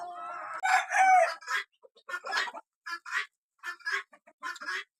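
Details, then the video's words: Small roosters: a short harsh crow followed by a series of raspy, broken clucking and squawking bursts with gaps between them. "sounds of roosters"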